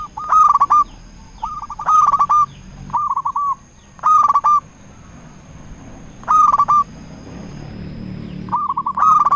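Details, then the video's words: Local zebra dove giving lure calls used to rouse quiet or stressed doves and get rivals to answer: short bursts of rapid rolling coos repeated roughly every two seconds over a low background hum and a thin high tone. "Perkutut Lokal Gacor Raja Pikat Paling Ampuh Ahlinya Bikin Lawan Gacor Nyaut"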